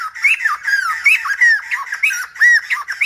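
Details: A Silver-headed babbler, its singing likened to a lumba dancer, pours out a dense stream of chattering, slurred whistles, with bright upslurred notes standing out roughly twice a second.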